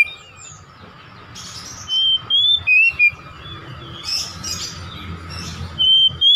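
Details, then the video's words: Singing lure from a home-kept oriental magpie-robin: scattered soft chirps, then a short burst of loud clear whistled notes and another bright phrase near the end, over a steady low hum. "PANCINGAN KACER UNTUK BONGKAR MATERI KACER RUMAHAN"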